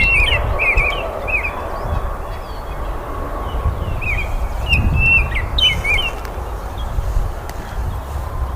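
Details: Baltimore oriole giving a series of short, clear whistled phrases with rising and falling slurs, repeated several times across the recording above a low, rumbling background hiss.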